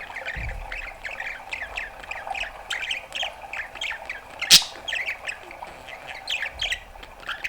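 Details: A male pet Australian budgerigar chatters in a steady stream of scratchy, squeaky notes, with one sharp click partway through.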